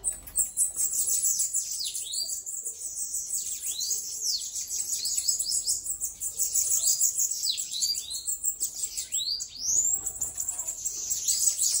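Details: Bananaquit, out of its cage, sings continuously: shrill, fast sibilant phrases of down-curving sweeps repeated every second or two, high and thin with almost no pause.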